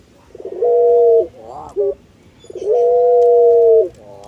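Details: Collared dove of the puter pelung breed, kept for its long melodious voice: a short level coo, a rippling quaver and clipped note, then a longer, loud, steady drawn-out coo.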